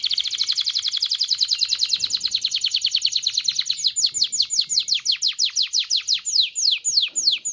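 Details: Canary song to rouse males and females for mating: a fast buzzy trill running into regularly repeated descending whistled sweeps, high and clear throughout.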